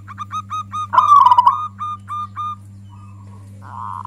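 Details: A local zebra dove sings a loud lure song said to provoke other doves. A row of brief clipped notes surrounds a rich trilled coo, then fades into softer murmuring, while a steady mechanical hum runs throughout.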